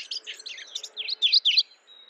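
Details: Mourning warbler giving a short phrase of rolling, high chirps that speed up and end in a few louder, ringing notes, then fade into a faint background hum.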